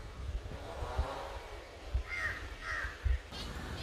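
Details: Rufous Treepie giving a few short, harsh, grating notes in quick succession over heavy low rumbling and occasional thumps.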